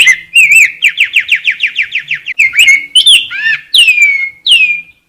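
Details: Rose-breasted grosbeak in song, opening with a few warbled notes, then a fast series of about ten repeated rising whistles, ending with downslurred clear notes. Loud and close, background quiet.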